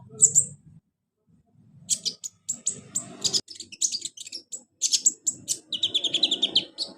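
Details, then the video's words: A sunbird, in audio played to get reluctant captive sunbirds to sing, gives a fast, very high, thin twittering of sharp chirps and short trills in quick bursts, with a faint low rumble in the background. "KONIN TERAPI konin malas bunyi Insya Alloh cepat ikut bunyi"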